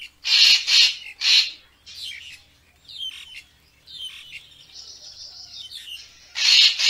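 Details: Racket-tailed treepie, recorded as a lure for photography: three rough, buzzy bursts open the sequence, then a stretch of softer squeaky and whistled notes, and another harsh burst at the close.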